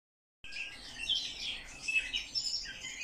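Eurasian blackcap song: a fast, rich warble of chattering and scratchy notes with a few clear, high whistled phrases mixed in.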